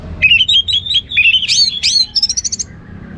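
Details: Ngeplong singing from an orange-headed thrush, a continuous rich phrase of fluty whistles, sweeping high slurs and a fast rattling series of repeated notes at the end, clear against a quiet background.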